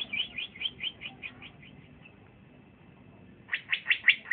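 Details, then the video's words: Singing young male green leafbird (cucak ijo) for sale gives a rapid string of about nine chirps that fade gradually, a short pause, then five louder, sharp chirps close together, with steady low background noise. "c ijo trotolan jantan masih muda udah bunyi mantap"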